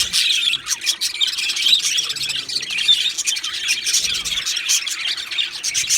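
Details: Two male budgerigars from Australia chattering, a stream of rapid high chirps and grating warbles, with one clear drawn-out whistle early on and quick bursts of scratchy notes later.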